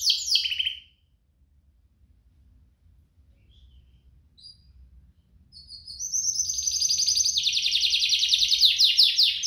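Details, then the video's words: Canary duet song meant to prompt other canaries to sing and to tutor young birds: a brief high burst, a long near-silent gap, then a dense rapid rolling trill building for the last few seconds. "Kompilasi DUO GACOR, cocok untuk pancingan kenari biar gacor, masteran kenari paud"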